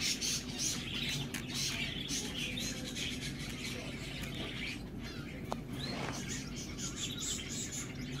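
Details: A crowd of budgerigars at a pet shop keeps up a steady, busy chatter of high chirps and scratchy warbles.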